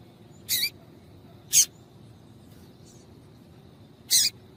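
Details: Three separate sharp, high chirps, about a second or more apart, from a female Double-collared Seedeater calling to get males singing, over a faint low hiss.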